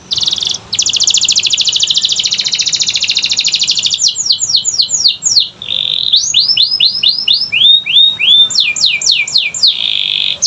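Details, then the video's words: Singing canary used as a training lure for quiet birds: a short note, then a long fast buzzy trill, a series of sharp downslurs, rising whistles and falling slurs, and a final rolling trill. "Pancingan Kenari Malas Bunyi‼️Dengar Langsung Nyaut Gacor Dor"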